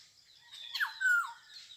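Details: A single rasping call from a Black-hooded oriole, a bird described as having three tunes with a harsh-seeming first one. A coarse falling squawk slides into a steady nasal note that drops at the end.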